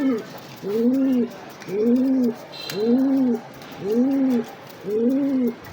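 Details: A Giribaz pigeon, a high-flying breed kept in male and female pairs, gives a steady run of low, arched coos, each rising then falling, repeated about once a second, with faint background chatter.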